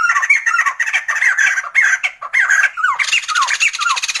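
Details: Loud, harsh, laughing song of Sumatran laughingthrush, bursts of squawky chattering notes mixed with short downslurred whistles, continuous and excited throughout.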